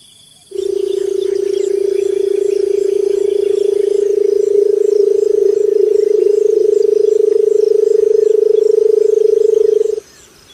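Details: Barred buttonquail producing a long, deep, vibrating drone. It lasts about nine seconds with a very slight rise in pitch and steady loudness, then stops abruptly. Faint high tones sound in the background.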